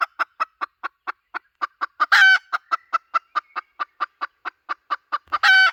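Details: Hen call used as a lure: a fast, regular train of short clucks, roughly four a second, with one loud harsh squawk midway and another at the close.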